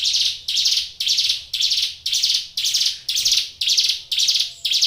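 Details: Vigorous song of a caged Brown Prinia, or ciblek gunung: a steady string of loud, grating, buzzy high notes, about two per second, each rising in loudness and fading.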